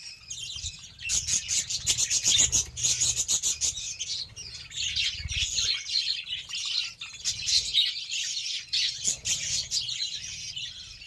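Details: Pet budgerigars at feeding time with beetroot, keeping up a rapid, twittering warble of sharp high chirps and clicks that swells and fades over eleven seconds, with soft low thuds.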